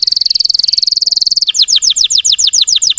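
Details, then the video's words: Russian canary singing to provoke other canaries: a steady, fast high buzzing roll for a second and a half, then a slower series of sharp descending whistled notes repeated about five times a second. "PANCINGAN SUARA BURUNG KENARI RUSIA UNTUK MANCING EMOSI BURUNG BAHAN"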